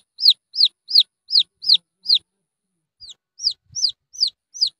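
Red junglefowl chick giving high, thin, down-slurred peeps, about three per second, with a brief pause midway; nothing else heard.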